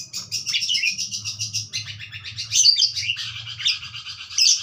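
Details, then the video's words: Budgerigar singing: a dense, continuous chatter of buzzy, scratchy chirps and short whistles, rising in intensity toward the end, with a faint low hum underneath. "suara burung parkit joss"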